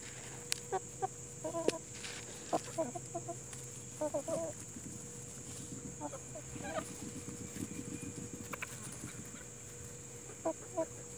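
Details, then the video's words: Plymouth Rock and Hamburg hens amid nature sounds, clucking in short harmonic bursts of two or three notes spread through the recording, over a constant hum and faint hiss. "Relaxing to Chickens and Nature"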